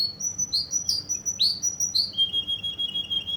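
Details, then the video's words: A Russian canary in Kuwait sings swooping upward whistles that end in a steady, high, rapidly pulsed trill, with a clean background. "Russian canary from Kuwait"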